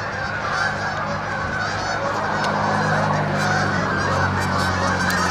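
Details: At dusk, Canada geese drop in to land amid a constant din of overlapping honks from many birds, over a steady low hum.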